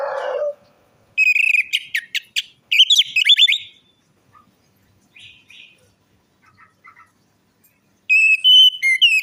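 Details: Orange-headed thrush song meant to coax a bird that has stopped singing or is stressed: a low rough note opens, then bursts of bright whistled phrases mixed with sharp chips, short pauses, and a final whistled run.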